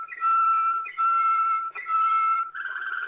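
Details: On an old record from Belgium, a Waterslager canary gives three long pure steady whistles, each briefly broken, followed by a softer warbling rolled phrase.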